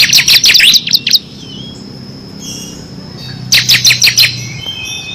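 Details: Ciblek kristal (bar-winged prinia) singing actively in 'ngebren' style, a training recording for competition birds; two bursts of fast, high, sharp chirps about a second long, split by a quiet pause with a faint thin whistle.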